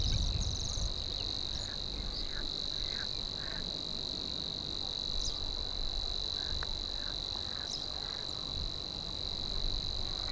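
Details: Savi's warbler in a Biesbosch polder in the Netherlands reels a steady, high, buzzing trill without a break, insect-like and unchanging, over low wind rumble with a few faint chirps from other birds.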